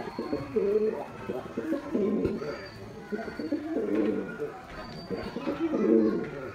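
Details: A white male domestic pigeon performs, giving deep, rolling coos in bursts roughly every one and a half to two seconds, with faint background chatter.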